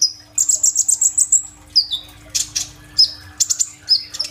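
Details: High-pitched sunbird (kolibri ninja) song from an Oppo A37f recording: a quick string of bright chips, a falling slur, then scattered sharp notes and short trills.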